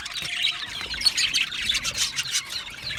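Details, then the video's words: Aviary budgerigars, several at once, give steady overlapping chirps and raspy chatter that swell and ease, with a few thin whistles mixed in. "Budgie parrot chirping sounds"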